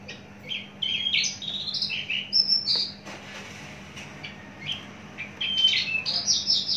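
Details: Caged Javan bush lark, mature and heavily built, singing varied high chirps and clear slurred whistles in two spells separated by a short pause, over a steady background hum.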